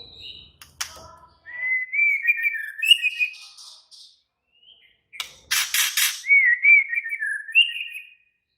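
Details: White-rumped shama singing excitedly: wavering whistled phrases strung together, a short pause, then a loud harsh rasping burst followed by more warbled whistles, with a few sharp clicks early on.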